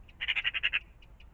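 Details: A magpie near a pond in the morning makes a loud, dry rattling chatter of about seven quick harsh notes in well under a second, with a few softer single notes after.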